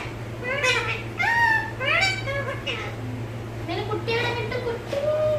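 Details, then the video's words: Domestic parrot imitating Malayalam talk: a busy string of rapid, voice-like syllables with sliding pitch and rich overtones, nearly continuous across the clip, against a constant low hum indoors. "PARROT TALKING MALAYALAM ഇങ്ങനെയും സംസാരിക്കുന്ന തത്തകൾ"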